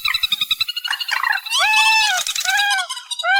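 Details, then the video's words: Amplified reed warbler song. A rapid chatter of scratchy notes leads into long, loud, arching nasal slurs and rasping phrases that run almost without a break. "Tiếng Chim Trích Ré 2024 Bản Tăng Âm"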